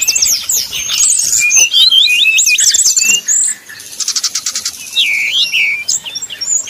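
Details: Brown-chested jungle flycatcher in 'nyuling' flute-like song style, used as a lure to provoke rival birds into singing: rapid high whistled slurs and trills, a buzzy stretch near four seconds, then downslurred whistles.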